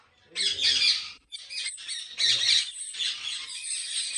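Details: Ringneck parrots at a big Pakistani breeding farm produce dense, raspy high squawks in two strong surges followed by continuous screeching chatter, with a faint human voice beneath.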